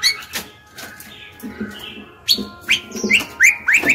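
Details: Song of a female white-rumped shama, used to lure males into singing back: after soft opening notes, a lively run of short rising whistles and chips in close succession over the last two seconds.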